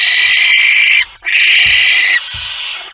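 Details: A barn owl at an It Fryske Gea site, with a mouse, at 06:11 on 17 September 2019, gives three long, harsh, rasping, high, breathy hisses about a second each with brief gaps; faint low knocks underneath.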